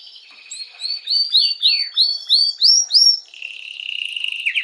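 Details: Canary song used to stimulate females for mating: a series of bright rising whistled slurs repeated about every quarter second, then a high sustained trill with a buzzy rattle, clear and close.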